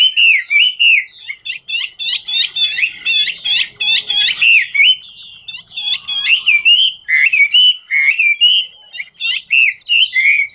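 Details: Chinese hwamei, singing and dancing at once, delivers ngũ trường song: bursts of sharp, rapid chattering alternate with sweet upward-curving whistles, a short pause partway through and then more looping phrases.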